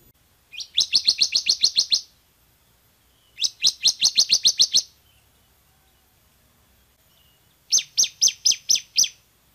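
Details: [4, 'Bar-winged prinia singing loudly in three rattling bursts of eight to ten fast, high, buzzy notes, each burst lasting about a second and a half, with quiet gaps between.']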